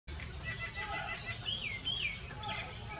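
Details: Red-rumped swallow (Cecropis daurica) at Bhakrakot village, Mohaan, Uttarakhand, India, in March 2020, gives a few short, curving twittered notes over a steady background hum, with faint voices nearby.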